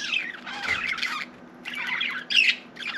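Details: Indoor budgerigar giving scratchy warbled phrases broken by a short pause, ending with a sharp squeaky chirp and a last burst of chatter.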